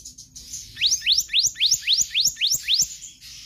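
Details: Kehicap ranting magpie-robin delivering konslet song for use as a tutor: nine evenly spaced, loud whistled sweeps climbing steeply, about three per second, with a clean background.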